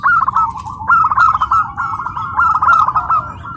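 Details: Home-raised tame zebra dove at its first competition at PLN Karawang, Indonesia: loud, nearly continuous run of rapid rolling coo notes in two linked phrases, with muffled crowd sound beneath.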